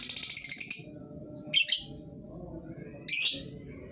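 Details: Lovebird lure sound meant to make lazy, silent lovebirds call back. A fast, stuttering trill of shrill notes is followed by two separate harsh, buzzy squawks about one and a half seconds apart, over a faint steady hum.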